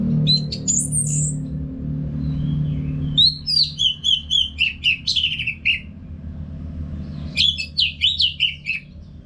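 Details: Orange-headed thrush singing nonstop in a cage, from North Bali, Singaraja, as training song for other birds. High whistles open, then fast runs of rapid descending chirps, about four per second, repeat twice. A low hum continues throughout.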